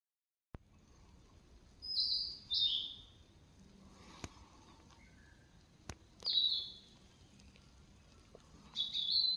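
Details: Small bird singing: three short, high chirping phrases spaced a few seconds apart, each a quick cluster of thin, bright notes, with quiet background between them and a couple of faint clicks.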